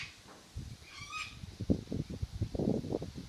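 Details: A single brief, honking squawk from a cockatoo at Airlie Beach rises above steady low rumbling and wind-like thumps.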